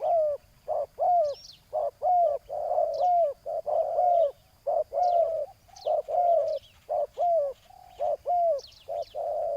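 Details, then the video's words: Spotted dove on the ground used as a decoy to draw in a loud-voiced rival: rhythmic hollow coos with bending, downward-slurred endings, about one per second, two birds overlapping, occasional high chirps of small birds. "ต่อนกเขาใหญ่ต่อดิน จ้าวBBRตามล่าเชลยเสียงใหญ่คูให้หลบเลน"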